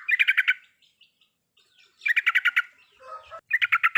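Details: Yellow-vented bulbul song played to prompt a silent bird: three quick bursts of rapid rattling chirps separated by short gaps, with a brief lower warble before the last burst.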